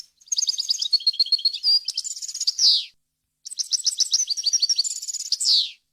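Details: Varied European goldfinch song for tutoring chicks and hybrids: two long phrases of rapid tinkling notes and trills, each ending in a loud descending rasp, separated by a short silence.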